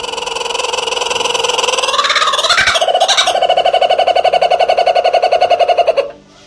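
A kookaburra's loud, raucous laugh: harsh chuckling notes speed into a fast, rolling cackle of about eight notes a second, then cut off abruptly.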